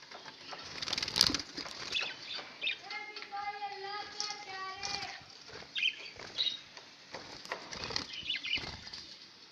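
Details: Pet budgerigars recorded on 11 October 2016, giving a scratchy, buzzy chattering warble with sharp clicks and squeaks, and a steady tonal note held for about two seconds mid-clip; soft rustling and flapping noises throughout.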